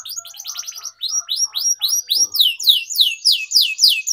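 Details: Atlantic canary (kenari) long 'gacor' song used to train young canaries: rhythmic loud chirps sweeping steeply downward, repeated about three per second without pause.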